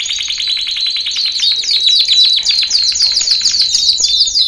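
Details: Male canary training song: a fast run of buzzy repeated notes, about three to four a second, climbing into higher, sharper upslurred trills and ending on a thin steady whistle.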